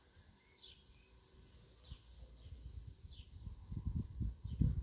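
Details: Six-day-old Black redstart nestlings begging for food: thin, high cheeps repeated in uneven clusters, partly masked by low rumbling and handling noise that grows louder toward the end.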